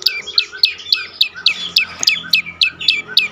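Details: A lure song from a prinia (prenjak lumut) meant to make silent birds sing: a dozen shrill, downward-flicking chirps delivered at a quick, even pace over a soft low background hum.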